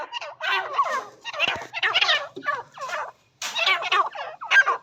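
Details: Partridge (teetar) calling: loud, harsh, raspy bursts repeated in quick series, each note sweeping and crackling, with a brief silent gap near the middle.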